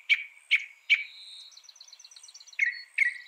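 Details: Northern mockingbird, a mimic of about 200 sounds, heard in a training recording: three harsh chips, then a thin, fast, stuttering trill, then two more chips. Nothing else audible.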